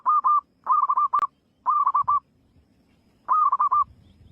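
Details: Free-living zebra dove giving four bubbling coo phrases of several rapid, evenly pitched pulses each, spaced roughly a second apart. A faint rustle or low murmur is heard in the background near the end.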